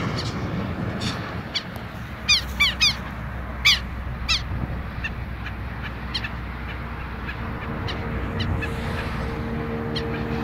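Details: Pair of Southern lapwings calling boldly near their nest, which was left untouched: a quick burst of harsh, descending, strident notes in the middle, with fainter calls before and after over a steady low hum.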